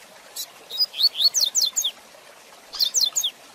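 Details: Rusty-collared seedeater delivering the rapid 'tui tui zel zel de fibra' song used to train young birds: a bright string of very high, ringing down-slurred whistles, repeated as a shorter phrase after a brief pause.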